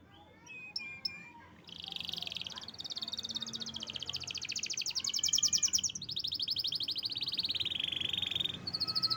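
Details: Kept canary singing energetically (gacor) after its keeper's homecoming trip, in good health: dense buzzy trills around high pitch, a lower harsh rolled section, then fast rattling trills that shift pitch in steps, with faint low background hum.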